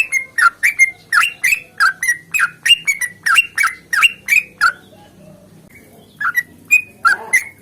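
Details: Sooty-headed bulbul in a long, rapid fighting song meant to get other bulbuls singing: a run of short bubbly, liquid notes about three per second, then a pause of over a second before a few more notes resume.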